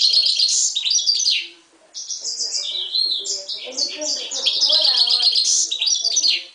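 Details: Himalayan goldfinch × timbrado canary mule from 2011 singing rapid repeated chirping notes in fast rolls, a brief silence, then a long, dense, buzzy twittering passage, with soft low voices underneath.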